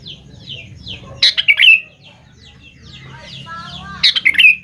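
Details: Sooty-headed bulbul lure song aimed at young birds: two loud bubbling whistled phrases with quieter descending chirps between them and a low hum underneath.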